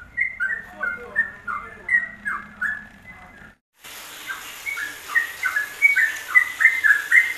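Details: Yellow-vented bulbul, ropelan style from a WK combination for masteran: two joined passages of rapid liquid whistles, notes swooping down in steady succession. A brief silence separates them, and the second passage has a hissing background.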